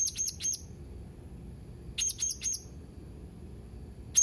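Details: Blue-crowned hanging parrot, 31 March 2021: two quick triplets of thin, piercing high chirps about two seconds apart, then a single note at the end.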